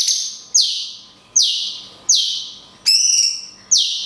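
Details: Cungkok in long 'kunti' shot song with natural pauses, used to train songbirds: loud high notes swooping sharply down, repeated roughly every 0.8 seconds, broken once by a buzzy, rising metallic note; low steady hum behind.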